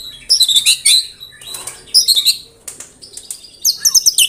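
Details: White-rumped shama (murai batu) delivering 'tembakan rapat', dense rapid-fire song: clusters of sharp high chirps and short whistled notes in quick bursts, with brief pauses between phrases.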